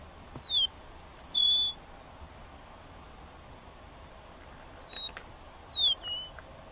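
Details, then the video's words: Eastern Meadowlark near La Sal del Rey, Texas, on 13 March 2016, gives two clear, slurred whistled songs about four seconds apart, each a run of sweet descending notes, over faint background hiss. "Eastern Meadowlark"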